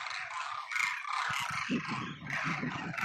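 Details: Migratory demoiselle cranes, called kurjan, gathered at Khichan, Phalodi, in Jodhpur: many birds give rolling, nasal honks that overlap into a continuous chorus, over some low rumbling background noise.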